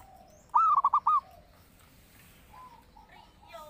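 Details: Zebra dove song used to lure and train other birds: one bold phrase of an extended first note and three quick bubbling coos, then fainter whistled calls from other birds.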